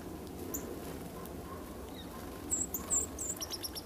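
Dark-eyed Junco giving a quick cluster of thin, very high chips near the end, over a steady low rushing background.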